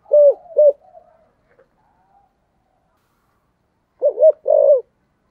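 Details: Decoy spotted dove in 'giọng thổ' style: two short low coos, a long near-silent gap, then a final pair of coos, the last one drawn out.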